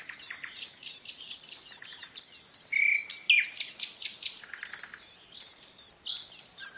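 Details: Ouzel chicks in a twig-and-leaf nest, tended by their parents, give thin, high squeaks in a rapid, uneven chatter of about three notes a second, with a few clearer whistled notes mixed in.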